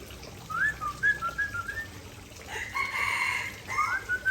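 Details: Aceh-type white-rumped shama sings its star fill-in: a string of quick whistled notes stepping up and down, then a rasping, buzzy stretch of about a second, ending with a rising whistle.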